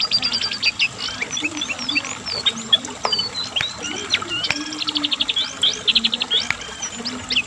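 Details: Asian brown flycatcher, known locally as cingcoang or jongkangan, singing steadily to lure and train pet birds: high varied whistles, quick rising and falling slurs and dry rapid trills in short bursts, with faint low background noise.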